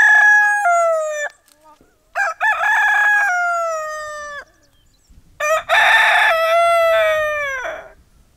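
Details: Cockerel crowing repeatedly as a morning wake-up: the tail of one crow, then two complete crows roughly three seconds apart, each a stuttering start followed by a sustained falling note.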